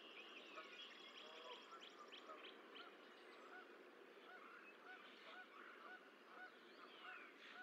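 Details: Goose at the Decorah Eagle Nest on 14 April 2024 as the sixth and last goose egg hatches; short soft arched notes repeat steadily in the latter half over a constant hiss, with a high rapid trill early on.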